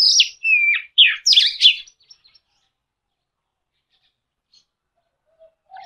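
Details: Short burst of Oriental magpie-robin song: a high whistle, a downslurred note and several harsh, buzzy sweeping phrases lasting about two seconds, then near silence with faint distant chirps.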